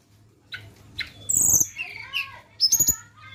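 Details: Flowerpecker song played as a lure, high thin whistles and sharp sweeping chirps scattered unevenly over a faint low hum, with a few clicks.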